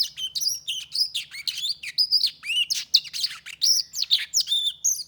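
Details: Tame Black-throated canary in full song, stringing fast high twitters, short trills and bent whistled notes together in a lively, near-continuous stream.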